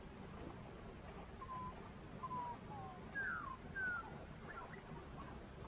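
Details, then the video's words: Male Sharp-tailed Grouse displaying in Colorado on 29 April 2016, twisting and turning quickly with feet stamping, give a few brief, faint whistled and hooting notes, some sliding downward, over a steady rush of wind. "Sharp-tailed Grouse (Tympanuchus phasianellus) Males Displaying"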